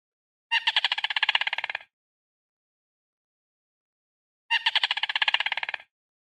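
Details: Yellow Rail bugle call, a vocalization of wintering birds: a fast, harsh rattle of about a dozen clipped notes lasting just over a second, given twice about four seconds apart, with silence between.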